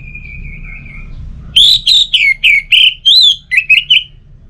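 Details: Orange-headed thrush song from North Bali, Singaraja, used as a lure to make a kept bird sing: a thin steady whistle, then about eight loud, clear whistled notes in a rapid, slightly wavering run.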